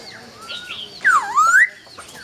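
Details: Single loud swooping whistle from a laughingthrush at dawn, dipping down then climbing again, preceded by softer thin whistles.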